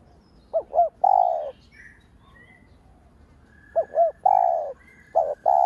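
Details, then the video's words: Lure spotted dove (cu đất) cooing to provoke rivals: two phrases of twin short bent notes plus a sustained coo, then short clipped coos at the end; faint high chirps of other birds. "Cu gáy mồi cây gáy gọi thúc ,gù bổi hay. tiếng cu gáy mồi cây kích bổi hiệu quả, cu đất gáy"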